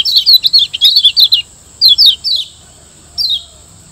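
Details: Tutor song of the Lombok yellow white-eye, kecial kuning, used to train caged birds: a lively stream of rapid high warbled and chattered notes for over a second, a short three-note follow-up, then one falling chirp.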